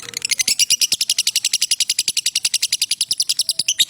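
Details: Lovebird sustaining a long ngekek trill, a master recording for training: loud, even, very fast shrill pulses for the whole span with hardly a break.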